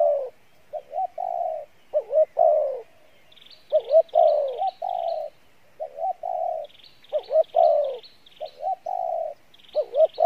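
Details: Spotted dove cooing in the Pha Bài Lối style, low mellow coos with quick upswung notes, while another small bird chirps a thin, high, rapidly repeated call in the background.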